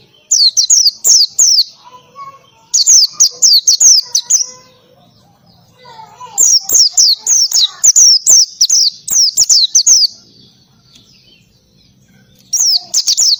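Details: Ngalas-style oriental white-eye song with canary-like bursts: rapid, very high, shrill chirps strung into dense phrases of five to ten notes, repeated after short gaps, with faint lower chatter between phrases.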